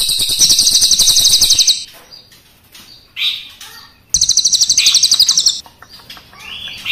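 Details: Crested jay singing energetically with a long roll, black and brown forms pitted against each other: two high, rapid rattling bursts around a second and a half each, separated by quiet soft swept chirps.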